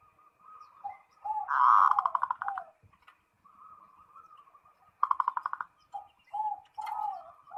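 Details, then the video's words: Perkutut or zebra dove calling out to a rival, giving soft murmured cooing followed by loud, fast, stuttering pulsed phrases and brief downslurred coos, two full phrases, no other sounds. "SUARA PERKUTUT MEMANGGIL LAWAN"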